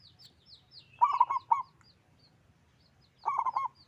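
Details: Loud-voiced local zebra dove in full song gives two quick bursts of throaty, stuttering coos a little over two seconds apart, while small birds twitter with high, thin notes in the background.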